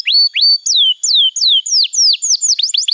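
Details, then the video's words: Canary singing a master song meant for teaching young birds: a series of clear downward-slurred whistles, about three per second, quickening into shorter hooked notes at the end. "Masteran Kenari PAUD & Pancingan Kenari MACET BUNYI‼️"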